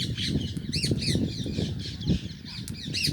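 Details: Indian green rose-ringed (ringneck) parakeets at their house give harsh, arching squawks several times a second, overlapping as if from more than one bird, over a steady low rumble.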